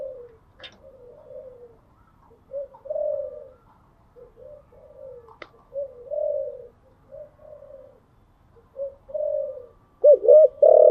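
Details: Spotted dove, a kept bird, cooing in the morning: a long sequence of soft, low coos, short and gently falling, rising in loudness at times, ending with two loud, wavering coos.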